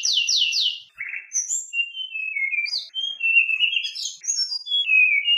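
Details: Oriental magpie-robin song used as a lure to make other magpie-robins sing, full of harsh fill-in phrases: three fast descending buzzy slurs, then varied whistled notes sliding between high and mid pitch, clean with no background sounds.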